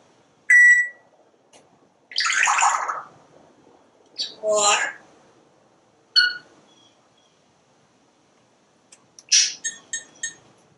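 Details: Pet parrot talking on a screened back porch while watching squirrels and birds, a clear tonal whistle followed by several gravelly, speech-like bursts and short clipped syllables, with quiet gaps between phrases.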